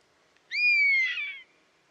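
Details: European honey buzzard giving a single drawn-out, plaintive whistled call, about one second long, starting with a quick upward rise, then a long slightly falling tone that turns rougher and wavering near the end; quiet background.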